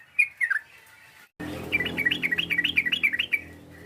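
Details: Yellow-vented bulbul calling to provoke a rival into answering. A few bright chirps, a sudden cut, then a quick run of about ten bouncy up-and-down whistled notes over a low background hum.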